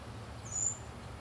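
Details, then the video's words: At La Unión de Guápiles, Limón, Costa Rica, a White-tipped sicklebill gives a single very high, thin note that rises slightly and then holds, over a soft, steady background hiss. "White tipped Sicklebill"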